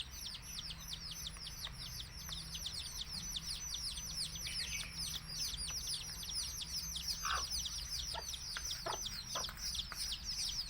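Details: A crowd of baby chicks of domestic chicken chirping, mother hen calling them to eat; nonstop high thin downslurred peeps, with scattered sharp taps and a few brief mid-pitched clucks later.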